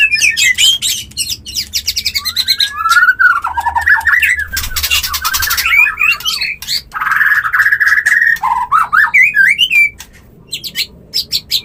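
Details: White-rumped shama mating call, used to bring a bird into breeding condition: clear whistled phrases sliding and warbling, mixed with harsh buzzy bursts and rapid clicking notes, with brief pauses between phrases.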